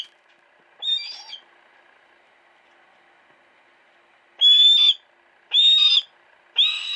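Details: Captive female hawk kept at a private house, recorded on a Sony Cyber-shot compact camera: loud, harsh, high cries of about half a second each, one early then three close together near the end, with quiet pauses between.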